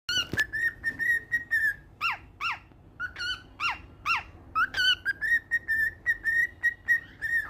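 A cockatiel sings a string of clear whistles, with sharp swooping notes mixed between steady, level tones.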